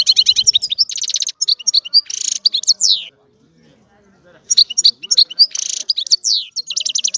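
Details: European goldfinch sings lively bursts of high twittering and buzzy trills, pauses for over a second, then resumes with jingling, chattering phrases.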